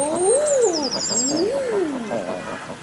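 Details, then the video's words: Common eiders in zoo enclosures in Germany; males make odd noises with a pale pink throat pouch. Two drawn-out rising-then-falling crooning calls, each about a second long, over steady background noise and high chirping birds. "Eiderenten machen komische Geräusche"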